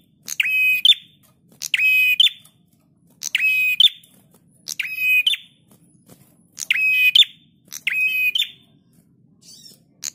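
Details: Lively prinia song recorded as a master for teaching cage birds: seven buzzy phrases about every one and a half seconds. Each has a clipped start, a flat rasping buzz and a rising flick to finish. Quiet background.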